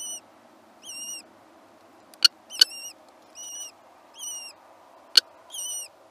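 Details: Kestrels nesting while young hatch: clear whistled notes that slur downward come in short bursts about once a second, with sharp clicks and taps between them and a soft hum beneath.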